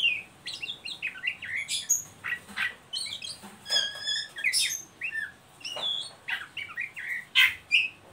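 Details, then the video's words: Oriental magpie-robin in ngeriwik style, a lure for untrained birds: continuous, dense chatter of harsh squawky notes, sharp clicks and quick whistled slurs, with a loud burst near the end. "Suara burung Kacer ngeriwik pancingan ampuh buat Kacer bahan"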